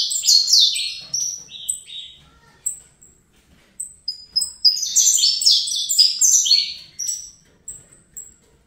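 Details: Young Fibra-type Saffron finch bred in captivity, warming to the bustle: repeated phrases of quick, piercing downslurred chirps and short whistled notes, separated by brief pauses.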